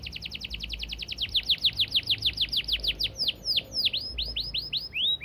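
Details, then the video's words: Fast 'gacor speed rapat' canary song, long and clear: a rapid run of sharp downward-sweeping chips that slows into wider, looping whistled notes toward the end. "Masteran Kenari Gacor Speed Rapat‼️Durasi panjang dan jernih"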